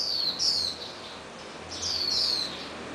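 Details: Swinhoe's white-eye young bird after release, followed and fed red fruit by its parents at a garage; two pairs of thin high descending chirps over steady background hiss.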